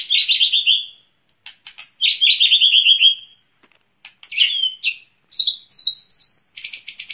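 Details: Outdoor-aired white-rumped shama singing to train its breath: long rich warbled phrases descending in pitch, separated by short clicks and pauses, then high sharp chirps and a ringing final burst.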